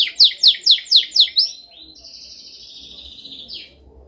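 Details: Canary with a dominant song for training: six loud sharp descending notes about four per second, followed by a softer sustained high whistled trill fading out.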